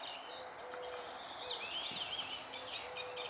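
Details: Icterine warbler song recorded in June 2021, a dense, fast medley of high twittering notes, short whistles and chattering phrases without pause, over a faint low steady tone.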